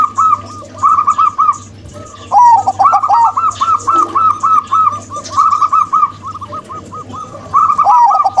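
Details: Local female and crossbred male zebra doves: long runs of quick, evenly spaced coos with lower trilled notes mixed in, repeating almost continuously with short breaks.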